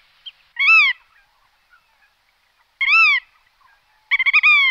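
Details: Black-tailed godwit calling: loud, nasal, rich-toned notes, each rising and then falling, spaced about two seconds apart. The last is broken into a quick stuttering run.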